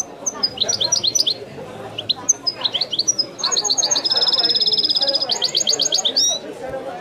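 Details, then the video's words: Wedani-style song of a European goldfinch: bursts of fast high twitters separated by short pauses, then a long dense buzzy trill lasting about two seconds, ending in sharp chirps. "chant de chardonneret تغريد الويداني الأصيل"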